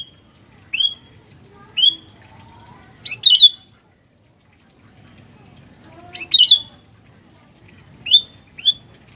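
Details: Gentilang, the sooty-headed bulbul, singing vigorously: clear whistled notes and chattering double bursts in loose clusters, with a near-silent pause of about two seconds in the middle.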